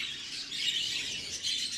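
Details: A light green budgerigar hen singing in an exhibition breeder's breeding room: continuous high, chattering warble without pauses, with a steady background hiss.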